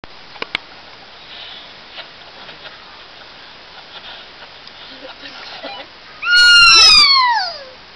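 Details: In May, a newly released 16-year-old male kea meets a female and gives one loud, ringing screech that wavers, then slides downward, after several seconds of near quiet with faint rustling.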